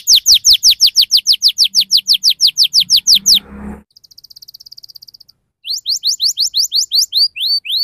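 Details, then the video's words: Canary song used to stimulate juvenile canaries: a fast run of loud falling whistles, a brief rustle, a soft high trill, then rising and falling whistled notes resuming. "Kenari Gacor Speed Rapat Cuit Cuit NGEROL Tajam 99% Ampuh Untuk Pancingan Kenari Paud Pecah Suara"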